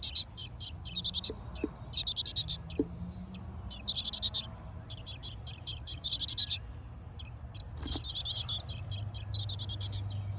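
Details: Chickadee nestlings inside a backyard birdhouse in a garden, Hardiness Zone 6a, with the mother on a nearby feeder: bursts of high, buzzy, rapidly pulsed chirping about every two seconds, five or six trains, over a low background hum.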